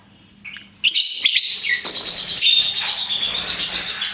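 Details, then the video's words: Lovebird bursting into dense, shrill chatter after a brief quiet start, high squeaky twitters running on without pause. "Bagaimana cara agar Love Bird mau Ngekek...???"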